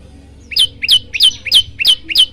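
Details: A brief silence, then an olive-backed tailorbird gives six piercing, rising chirps about one every third of a second. The recording is used to prompt other birds into song.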